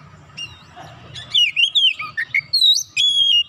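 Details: Oriental magpie-robin singing to goad other magpie-robins into song, opening quietly then breaking into a rapid run of clear whistles, dipping slurs and a long sustained high note near the end; low hum underneath.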